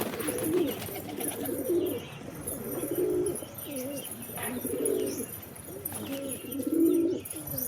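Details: Pigeons cooing in low, throaty phrases, several rolling bursts spread across the recording with short pauses between, faint higher chirps and a soft background hiss.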